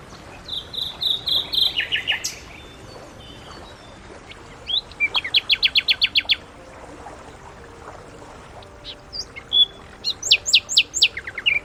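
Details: Common nightingale (Luscinia megarhynchos), song.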